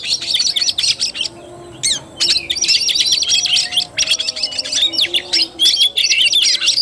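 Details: Fighting-style (tarung) song of an Oriental magpie-robin, 17 August 2021. Rapid high warbled and chattering phrases pour out almost without a break, with one short gap near the two-second mark.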